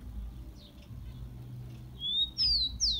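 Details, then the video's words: Rufous-collared sparrow song used to fire up captive tico-ticos: after quiet background twitters, a level thin whistle leads into two bright, steeply falling whistled notes. "CANTO DO TICO TICO MELHOR ESQUENTA DE TICO TICO PRA FOGUEAR ESQUENTAR SEU TICO TICO"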